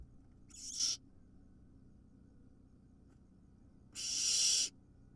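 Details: Wild barn owl nestling swallowing a large vole; two breathy hissing screeches, one short and one about a second long, separated by a quiet pause.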